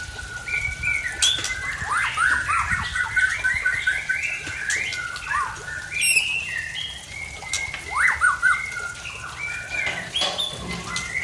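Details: Oriental magpie-robin from Aceh delivering strange borrowed phrases; varied whistled notes, downward slurs and quick chattering runs, a few sharp high clicks, over low background noise.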